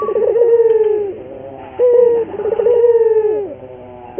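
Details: Training lure of a local puter dove: two deep rolling coos, each starting with a fluttering burr and ending in a drawn-out, gently falling note, separated by a short clear coo.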